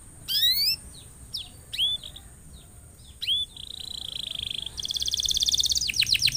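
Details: Vigorously singing canary, played to prompt other canaries to sing. Separate upward-swept whistles and chirps lead into a sustained metallic trill, then faster rolling trills and descending swoops. A faint constant high whine runs underneath.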